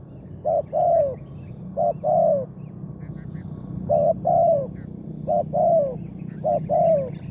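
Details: Spotted dove, a big-voiced wild target bird, calling on a morning bird-trapping trip. Paired coos with a short note and then a longer descending note repeat over a noticeable low rumble.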